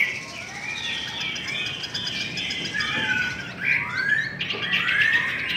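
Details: Softer, more distant song from a Chinese hwamei in a singing contest: flowing warbles and upward-slurred whistles roughly once a second over steady background hiss.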